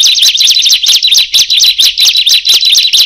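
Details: Calls of a bar-winged prinia, which set others calling too; a steady run of bright, high, zigzagging chirps, about three or four clusters each second, loud and close with no other sounds.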